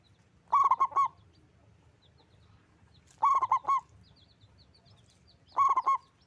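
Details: Local zebra dove, loud and big-voiced, singing three crisp phrases of four or five rapid rolling coos, spaced about two and a half seconds apart, with faint high twitters of small birds.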